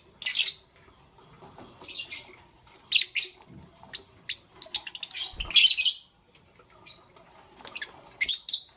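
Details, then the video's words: Lovebirds chirping in the morning, giving loud, harsh, high chirp bursts spaced about a second apart, with softer squeaks in between and one low thump midway. "Lovebirds Chirping Sounds"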